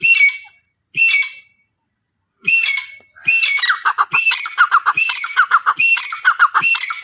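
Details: Francolin (teetar) calling. Three loud, harsh, grating notes come about a second apart, then a fast stuttering run of rasping notes repeats several times a second until the end.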